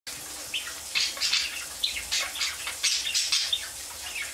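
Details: Budgerigar chattering in a busy, unbroken stream of short scratchy chirps and squeaky warbled notes, mostly high-pitched, with a steady faint hiss behind.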